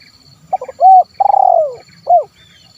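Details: 'Kuk 1' style spotted dove (terkukur) call used to provoke wild birds to sing: a few fast clicks, a steady hollow coo, a long vibrating note that drops in pitch, then a final short rounded coo; faint high steady tone behind.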